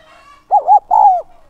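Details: One phrase from a decoy spotted dove calling to attract wild doves. Two quick rounded hoots lead into a longer, slightly falling coo, all in a low mellow register.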